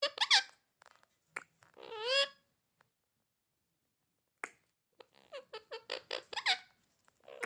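A rose-ringed parakeet chatters in squeaky, speech-like bursts: a few high, wavering words, a pause, then a rapid string of clipped syllables.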